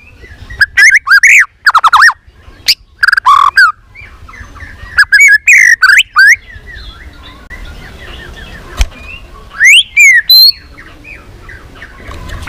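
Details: White-rumped shama song for stimulating singing and tail-flicking: loud bursts of rich, fast, varied whistles separated by pauses, with softer chattering between phrases and a single sharp tap.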